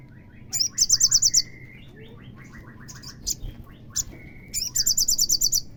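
Olive-backed sunbird song: very high, sharp bursts of rapid trilled notes alternating with thinner twittering chirps, in short phrases. A faint low hum lies beneath.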